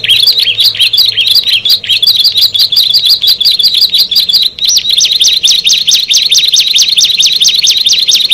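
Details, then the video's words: Ciblek (bar-winged prinia), one of six birds, singing a quick chain of high chattering notes that shifts halfway into sharper, upward-flicking whistled notes repeated at a steady, brisk pace. "Tetangga Bisa Marah Kalau Ke 6 Burung Ciblek ini Sudah Bertemu"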